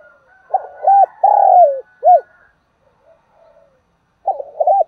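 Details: Cooing of a trained decoy spotted dove used to draw in wild doves: one full phrase of short notes, a long falling coo and a short hoot, then silence before the next phrase begins.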